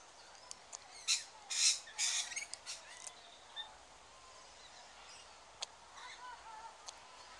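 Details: Rainbow lorikeet chick, one of two tiny hatchlings hand-reared by keepers at Bristol Zoo Gardens, syringe-fed warm nectar and Complan; harsh raspy squeaking bursts early on, then quieter faint chirps over a steady background hiss.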